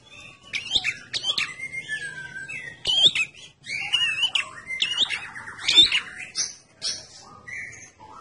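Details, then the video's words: Lure recording of a red-headed prinia singing hard: busy, high chirps and sharp squeaky notes in uneven bursts, with a short buzzy trill in the middle and a few clicking knocks. "Prenjak ndas abang alias prenjak kepala merah gacor, pancingan tembakan prenjak kepala merah"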